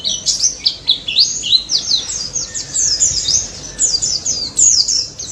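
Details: Daput white-eye singing persistently in the ngalas style, used as a lure to get silent white-eyes to sing: rapid high twittering of thin, sliding whistled notes, downslurred chirps tumbling together without pause.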